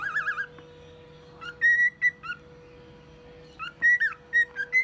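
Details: Male cockatiel, one year old, kept as a pet, imitating a car alarm and other sounds: a wavering warbled whistle, then clear whistled notes with rising and falling slurs in short bursts, over a steady low electrical hum.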